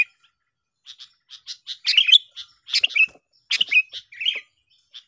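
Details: Sooty-headed bulbul song meant to attract birds for trapping, from a singing duel: soft, spaced chirps building into louder warbled, slurred phrases.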